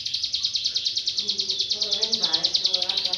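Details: A hill prinia pours out a fast, even run of high, sharp chips, about eight a second, over faint lower murmuring sounds.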